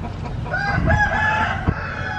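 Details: A chicken crowing: a drawn-out, harmonic-rich call with a wavering middle, heard over steady low rumbling background noise.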